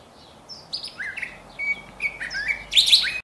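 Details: Varied song from a curve-billed thrasher: high thin notes, then down-slurred whistles, steady tones and a loud, harsh burst at the end, delivered in quick succession.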